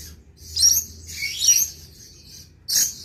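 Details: Rainbow lorikeet used as a tutor recording for cage birds, giving three brief, piercing shrieks, the middle one longer and wavering, against a faint low hum.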